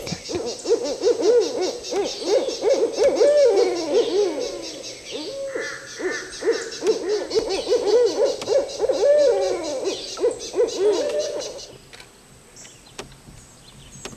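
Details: Barred owls called in at a swamp sanctuary, where two arrived together in a possible territorial dispute, give loud overlapping cackling hoots with wavering, swooping notes for about twelve seconds before stopping; faint higher bird calls underneath.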